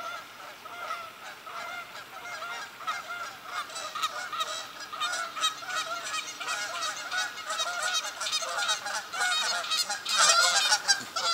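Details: Geese honking as they fly into a park in Godfrey, Illinois, at sunrise in October 2019; many overlapping nasal honks from a large flock, growing louder toward the end as more birds arrive.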